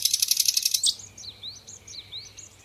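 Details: Common nightingale, known in Indonesia as sikatan londo, singing on a recording used to teach other birds to sing: a fast burst of harsh, pulsed notes, then softer thin chirps and sliding whistles.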